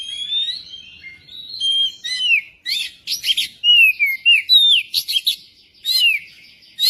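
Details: Magpie-robin singing, used as a lure to prompt other magpie-robins into song: varied whistled phrases with sweeping, falling notes, interspersed with bursts of harsh, scratchy chatter, delivered in quick succession.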